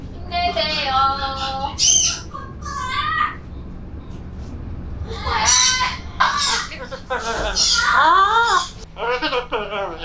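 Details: Pet Amazon parrot talking indoors, a chatty bird; a run of speech-like phrases with squeaky, nasal syllables and sharp high notes, pauses between bursts, steady low hum behind.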